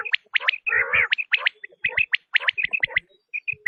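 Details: Quail call used by hunters to attract quail: sharp high chirps in quick runs, with a raspy, gargling burst near the start and short pauses between phrases.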